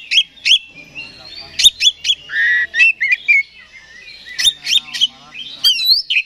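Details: Oriental magpie-robin, a kept songbird, singing an agitated provoking song meant to rouse another bird; loud varied phrases of sharp chips, rising whistles and rapid buzzy trills in quick bursts.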